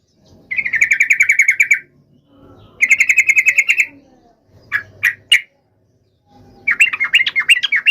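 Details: Yellow-vented bulbul in fighting song to make other birds answer: rapid rattling runs of harsh notes in separate bursts, a couple of isolated sharp notes, then a bubbling varied phrase, with clean silent cuts between.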